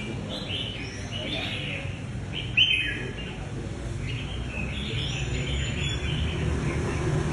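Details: Caged red-whiskered bulbuls in a singing competition final round, with four birds competing; short bright warbled phrases recur across the clip, one sharp note stands out near the middle, over a steady low rumble of crowd and background noise.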